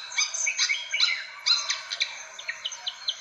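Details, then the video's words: Fantail calling as a bird lure, with a brief burst of squeaky whistled notes followed by a string of short, sharp chips, roughly two each second. "SUARA PIKAT BURUNG KIPASAN SIKATAN"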